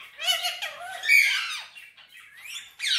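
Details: Green Indian ringneck parrot, a talking pet bird, giving harsh squawks and bent whistled notes with rising and falling slurs over three seconds, loud and close.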